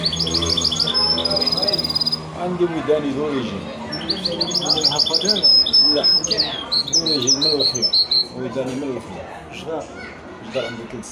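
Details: Hybrid goldfinch × canary mule giving a long, varied song of quick high twittering notes, rattling trills and sliding whistles over eleven seconds, with a man's voice speaking throughout.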